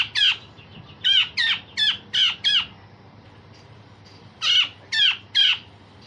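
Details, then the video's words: Harsh, sharp 'tembakan' phrases of a grey-cheeked bulbul, a recording used to train and provoke other songbirds: five rasping notes in quick succession, a gap, then three more, over a faint low hum. "Cucak jenggot Besetan Kasar dan Tembakan Tajam"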